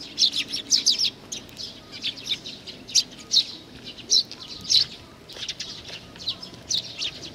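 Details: Juvenile sparrow in Japan, June 2019, calling with rapid high-pitched chirps in close bursts, almost continuous, the loudest notes every half second or so.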